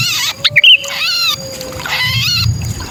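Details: Lure recording of a sooty-headed bulbul in distress ('kutilang kejepit'): two harsh, rasping screech bursts with strong harmonics, a few quick high chips between them, and a steady low tone in the background.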